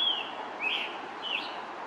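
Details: A male Scarlet Tanager sings from high in the treetops near a pond path at Stony Brook Wildlife Sanctuary, Norfolk, Massachusetts, in 2021: three hoarse, burry notes in quick succession, fairly high-pitched and somewhat faint, over a steady background hiss.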